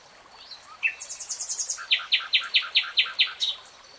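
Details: Nightingale song: a short note, then a very high rapid trill, followed by a loud series of about eight evenly spaced, rich repeated notes with faint background rustle.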